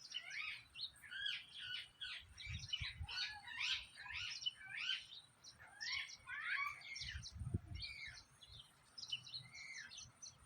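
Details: Parrot chirping naturally: a dense run of quick, high, squeaky chirps and harsh twittering notes tumbling over one another almost without pause, with a couple of low thumps in the background.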